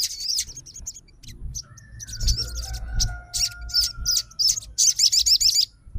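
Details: A fighter Crimson sunbird replies to a rival with high chips and short wavy trills ending in a fast rippling run. A drawn-out lower whine crosses the middle.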